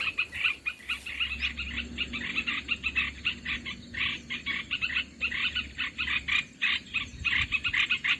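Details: Trapping lure sound of Olive-winged bulbul: a steady stream of scratchy, chattering calls in quick bursts, and a faint low hum running beneath the first half.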